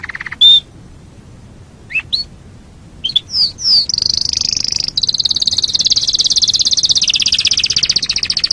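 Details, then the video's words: Canary singing on a songbird training recording: scattered sharp whistled and swept notes, then a sustained high rapid trill running steadily to the end. "Masteran Suara Kenari"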